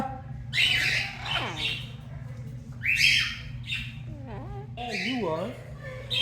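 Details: A female rescued Amazon parrot that says "Lolita" and "hi" and sings opera gives harsh, raspy squawks about every two seconds, then quiet, wavering speech-like tones, talking softly because the room is quiet, over a low steady hum.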